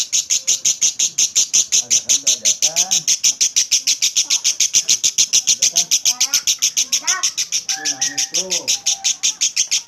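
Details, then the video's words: Lovebird's long ngekek chatter, used to coax other lovebirds to chatter: continuous shrill rapid pulses, while softer twittering and warbling calls from other birds sound faintly underneath. "Suara Burung Lovebird Ngekek Jernih Pancingan Buat Lovebird Ngekek Panjang"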